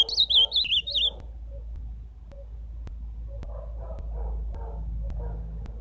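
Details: Ultramarine grosbeak (azulão) singing a short warbled phrase of wavering, looping whistled notes over about one second, followed by quiet low background noise.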